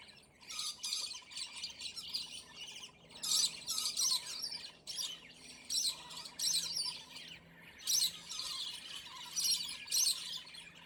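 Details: Scaly-breasted lorikeets fighting in a territorial squabble that lasted about ten minutes give harsh, shrill screeches and chattering squawks in rapid bursts, several birds calling over one another.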